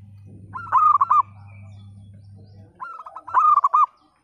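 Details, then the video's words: Local zebra dove in full song with a broken, split voice, meant to coax quiet birds into singing. Two short bursts of stuttered, bubbling coos about 2.5 seconds apart, with a humming drone fading out midway. "Perkutut Lokal Gacor Suara PECAH Cocok Untuk Pancingan Yang Bisu Dan Malas Bunyi"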